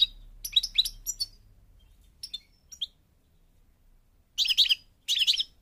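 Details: Goldfinch of the parva form in Morocco: scattered short chirps and twitters, a long pause, then two dense bursts of rapid tinkling song.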